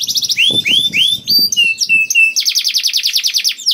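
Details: Lure canary song meant to set other canaries singing: a few curved sweeping whistles, flat steady tones, then a quick rattling trill of repeated notes, all high and loud.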